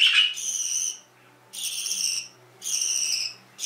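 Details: A sharp chirp opens, followed by three long, high, buzzy canary notes separated by clear gaps of about half a second.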